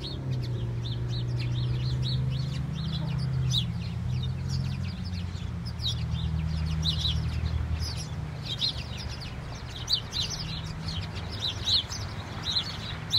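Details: A flock of house sparrows in falling snow, many birds chirping at once in a dense, overlapping chatter of short high notes, over a steady low rumble of background hum.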